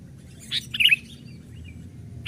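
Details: Young sooty-headed bulbul playing on a branch, recorded as a lure for wild birds; two short bright chirped notes in quick succession, the second a slurred rising-falling twitter, over a low steady background hum.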